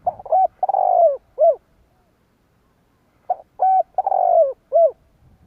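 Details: Spotted dove calling to pull in wild doves, played to excite decoy birds. Two low, mellow phrases about three seconds apart: quick introductory coos, a long trilling note sliding downward, and a final rounded coo.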